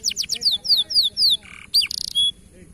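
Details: A local canary's varied phrase: quick high descending slurs, a lower buzzy note, a sharp rising sweep and a brief harsh rattle, all crisp and loud.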